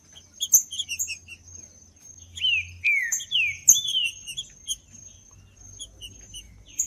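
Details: Green-winged saltator, trinca-ferro singing in the judas style, used to stimulate a cold bird: clear whistled notes sliding downward in short phrases, mixed with many sharp high chirps and a steady thin high tone throughout.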